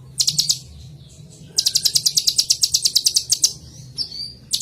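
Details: Song of a purple-throated sunbird (kolibri ninja): a short high trill, a pause, then a long fast run of sharp, evenly repeated ticking notes and a thin whistle at the end.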